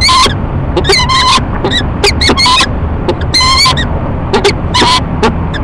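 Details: Peregrine falcon pair in courtship at their nest box atop a building in Rochester, NY, 9:10 in the morning, March 2011, trading loud ee-chup calls: clipped, rasping notes in irregular bursts, roughly one per second, over constant rushing noise.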